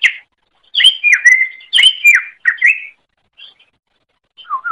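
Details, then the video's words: Greater green leafbird with a training song for other birds: clear, sharp whistled phrases that slide down in pitch, delivered in three loud bursts, then a quiet pause and a soft, lower warble. "Masteran Suara Cucak Ijo"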